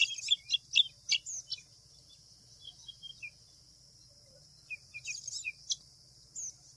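White wagtail giving sharp, high chirping calls in two quick bursts, with a steady high insect-like hiss and faint low rumble behind.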